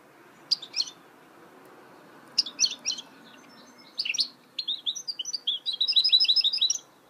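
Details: A goldfinch mule starts with separated short chirp clusters, then breaks into a quick rolling string of high twittered notes that speeds into a steady, evenly repeated trill near the end.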